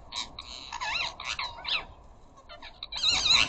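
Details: Flock of ring-necked parakeets at a garden bird feeder chattering to each other: harsh, screechy squawks with rising and falling tones, uttered in quick bursts, ending in a louder grating squawk.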